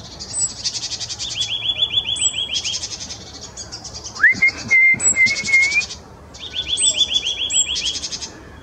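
A nuthatch gives rapid, high, trilled bursts in quick succession, broken midway by a longer, clear whistle that rises and then holds steady.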